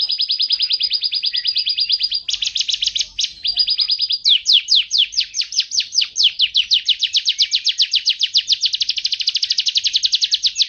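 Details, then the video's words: Canary singing a master song for training other songbirds: long rapid buzzy trills held steady, then a series of fast repeated high notes that run on for about six seconds without pause. "Suara Burung Kenari | Gacor"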